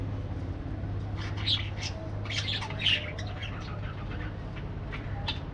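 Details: Parakeets giving short, scratchy chirps and squawks in scattered bursts, loudest near the middle and again at the end, over a steady low mechanical hum.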